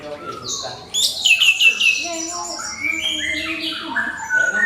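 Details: A crystal-voiced orange-headed thrush sings to provoke other birds. After a quiet start, a loud tumbling burst of high, slurred whistles breaks in, then mixed lower and higher warbled phrases follow without pause.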